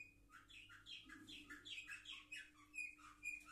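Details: A brief burst of song from seven-month-old canaries recorded on 10 November 2023, with quick varied twittering syllables and a few sharp whistled chirps in rapid succession.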